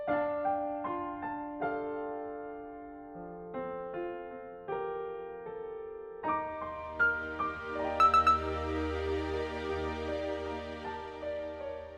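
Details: Gentle electric piano music playing steadily, with no animal sounds.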